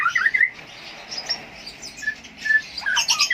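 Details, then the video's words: Brief burst of Konin lovebird singing from Jambi, Indonesia: a quick run of bright squeaky chirps, a quiet stretch with a couple of short tones, then a louder tangle of high twitters. "KICAU MANIA NUSANTARA 1, KONIN HATORI"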